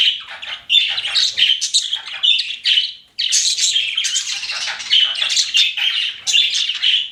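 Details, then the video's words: Pet budgies keep up a busy warbling chatter of buzzy chirps and squeaks, pausing briefly once before resuming the same rapid, scratchy stream. "CUTE PET BUDGIES CHIRPING"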